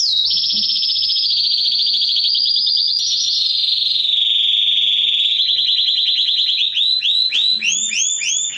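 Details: Mosaic canary song for stimulating mating and teaching chicks: a long high rolling trill slowly drifting lower, then breaking into fast repeated notes and finally sweeping whistled notes, loud and unbroken.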